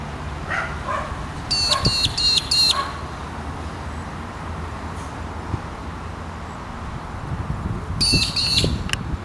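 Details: An Australian Magpie-lark (Peewee) gives two bursts of loud, ringing, rapidly repeated metallic notes, several seconds apart, with a dog barking in the background.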